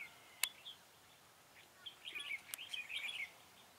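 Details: Red-whiskered bulbul used as a trapping decoy, recorded 4 February 2017, gives a rich warbling phrase of quick bright notes in the second half, after two sharp clicks, against steady background hiss.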